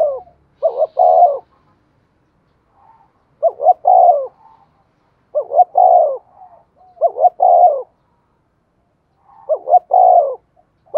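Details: Spotted dove used as a decoy to make other doves call, repeating its coo about every two seconds: two clipped rising notes leading into a fuller, falling note, five phrases over a quiet background.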